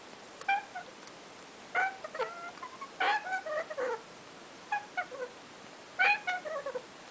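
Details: Young African grey parrot chicks, a first clutch of babies; clusters of short raspy, harmonic squawks in groups of two to four, with pauses between bursts and a faint steady background hiss.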